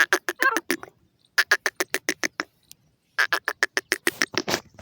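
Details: Caged francolin, a pet bird sitting on top of its cage and calling to other birds, gives bursts of harsh, rapid repeated notes, about three per second, in three runs separated by short pauses.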